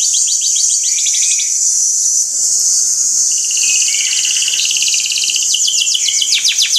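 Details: Five canaries singing a training song: layered high trills and rattling rolls, with a steady shrill background trill and occasional fast descending notes near the end.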